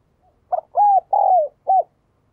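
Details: A single spotted dove phrase: a brief soft lead-in, then mellow low coos, the third longest and drooping at its end, closed by a short coo.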